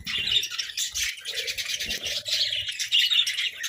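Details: Flock of captive budgerigars squabbling over food, a dense unbroken chatter of high chirps and warbles with scattered sharp squawks, plus soft low thumps and rustles underneath.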